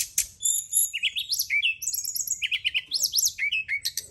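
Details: Brown-chested jungle flycatcher singing in a night lure recording for kept birds: a continuous rapid flow of upslurred whistles, chips and sharp high notes with hardly any pause, a faint low rumble beneath.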